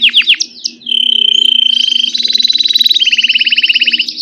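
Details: Grey Belgian canary singing: a few falling whistled notes, then a long steady high whistle, breaking into fast, even buzzy trills that step upward in pitch, loud and close, with faint low hum.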